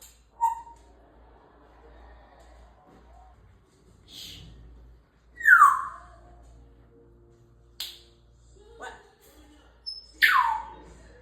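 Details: African grey parrot kept as a talking pet, giving a few short, sharp whistles that sweep steeply downward, spaced several seconds apart, with soft clicks and quiet gaps between.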